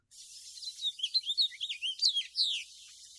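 House finch song: a quick, jumbled warble of varied high notes rising and falling for about two and a half seconds, ending in a longer slurred downward note.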